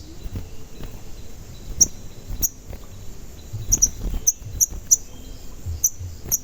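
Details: Sogon (crimson sunbird) lure sound. Short, sharp, very high cuit chips are repeated irregularly, sometimes in quick pairs, over a faint low background hiss.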